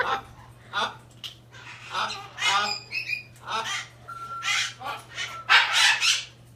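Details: Captive hyacinth macaw in Québec making odd, never-before-heard noises, perhaps aimed at a bird outside. Uneven string of harsh, chattering squawks and short garbled notes, with a couple of thin whistled tones and a constant low hum.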